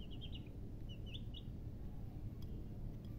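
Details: Young chicken chicks peep in fast bursts of three or four high notes, then a few separate chirps, with a low droning hum underneath.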